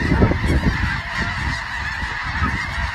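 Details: Snow geese flock giving a busy, unbroken clamor of overlapping honks, louder at the start, over strong low-pitched rumble throughout.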